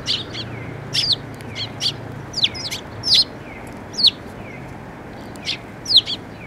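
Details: Sparrows gathering for food at a water bridge by Tenmangu shrine on 5 May 2024, giving a busy scatter of high, clipped chirps, several birds overlapping, roughly one or two calls each second.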